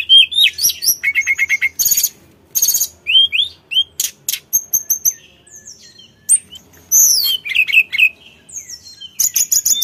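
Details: Sulingan (Sunda blue robin), mountain form, singing vigorously as a lure recording: fast, varied high whistles, rising and falling slurs and dense chattering bursts, packed into short phrases with brief gaps.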